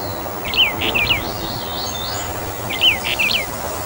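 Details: Taiwan's endemic Brown bullfinch subspecies uchidae, from mid- and high-altitude forest, calling with clipped, slightly slurred whistles in two groups of three or four notes, plus a faint thin whistle between them.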